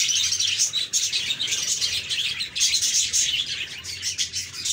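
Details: Group of happy budgerigars chirping, offered as cheerful sounds for quiet or lonely pet budgies; dense overlapping high warbles, chirps and short squeaks from several birds at once, continuous with no pauses.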